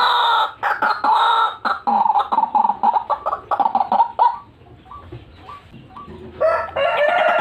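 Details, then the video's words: White-breasted waterhen recording used for luring birds: loud, rasping croaks in quick bursts, then a quieter stretch of single clipped notes, ending with another harsh outburst. "RUAK RUAK GACORAN AUTO JUARA PIKAT"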